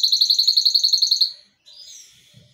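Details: Yellow Belgian canary, kept as a pet, singing: a loud, rapid series of identical pulsed notes for over a second, then a pause and a quieter buzzy warble.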